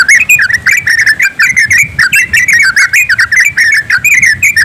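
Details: A group of yellow-vented bulbuls singing together in the rapid, continuous ropelan style, used as a lure to get birds singing. Dense overlapping bubbly, chattering whistled notes with no pauses, many voices at once, over a faint low background rumble.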